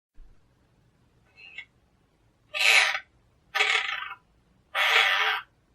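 A monk parakeet gives three loud, harsh, grating squawks about a second apart, each under a second long, after a faint short chirp.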